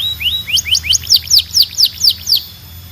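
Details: Belgian canary singing a training song for other canaries: ten bright, clear notes in a quick series, rising at first and then slurring downward, each a clipped chirp.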